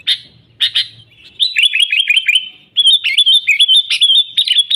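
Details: Sooty-headed bulbul in full song, used as a trapping lure: two sharp chirps, then fast rhythmic cascades of warbled, zigzagging whistled notes.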